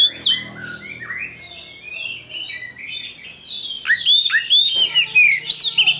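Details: Oriental magpie-robin giving a lively song that moves from softer warbling slurs into loud, sharp whistles and chattering notes toward the end, with a low steady hum in the background.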